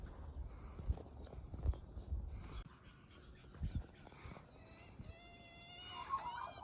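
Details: In the morning, a young Australian magpie with its mother, which is feeding it, gives nasal, whining begging calls that rise and waver in the last two seconds, after wind rumble and handling thumps.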